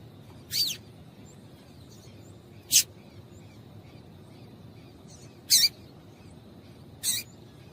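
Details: Four separate sharp, thin, high chips from a female yellow-bellied seedeater calling to excite males, irregularly spaced, with a faint continuous high tone in the background.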